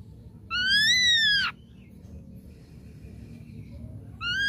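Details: Ashy drongo song used to provoke a reply: a loud, rich whistle that rises and then falls, a quiet thin whistle in the gap, and another loud note beginning at the end.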